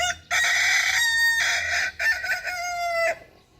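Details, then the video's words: Bright, loud crowing from a Kukuak Balenggek rooster in a hobby flock: long sustained notes broken by brief dips in loudness, ending in a gliding tail that fades into quiet. "Hobi Ternak Ayam Kukuak Balenggek, AKB (bagian II)"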